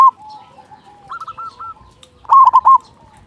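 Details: Zebra dove, a local bird with a loud voice, sings as a lure for other doves: soft background coos, then one strong, rapidly bubbling coo phrase near the end.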